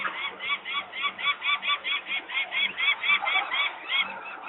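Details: Parent peregrine falcons screaming in Włocławek, Poland, 23 May 2022 at 14:51, as employees make noise near the nest where the young females sit on the landing. Raspy rising-falling cries pulse about three times a second, with a faint hum.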